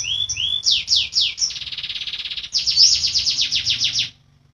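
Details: Canary rolling song for tutoring caged birds that have gone quiet: rising whistles, fast falling sweeps, a sustained buzzy trill, then a long rapid series of high swept notes ending abruptly.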